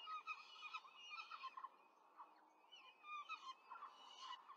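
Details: Peregrine falcon family at a nest in Rome, recorded by nest camera on 5 May 2023 as the female rapidly feeds four chicks; two bursts of harsh, clustered chittering calls with a brief quieter gap between.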